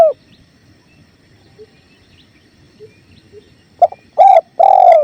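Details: Spotted dove, a training recording set to the sound of a clear flowing river; after near-silence with soft low murmur, a short series of deep, hoarse coos arrives near the end, the last two longer and drawn out.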